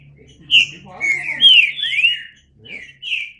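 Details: A green-winged saltator sings a loud phrase of connected whistled slurs rising and falling, pauses briefly, then adds two short whistles.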